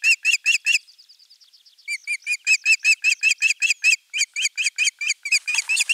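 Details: Calls of an osprey at the nest, morning of 23 June 2020, during a crucian carp delivery seen on a live camera. Sharp whistled notes come in quick bursts, interrupted by a thin, softer twittering, then a long insistent series with some rustling.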